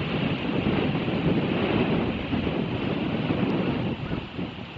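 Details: Steady wind buffeting and surf-like rushing noise throughout, with no animal calls heard.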